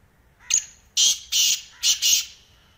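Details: Close, loud call of a black francolin, known locally as kala teetar: one brief sharp opening note, then four harsh, buzzy, grating notes grouped in two pairs, with a faint trailing hiss afterward.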